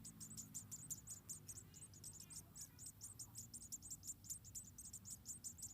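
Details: Munia: about four chicks in a nest beg as the mother feeds them one by one, giving thin, very high chirps, several each second, in a steady insistent chatter over a low background rumble.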